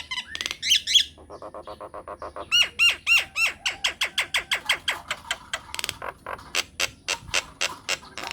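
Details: Rapid myna sequence used as a lure so other mynas reply: fast trains of repeated clicking notes, then loud looping upslurred whistles repeated several times a second, fading into sharp evenly spaced ticks.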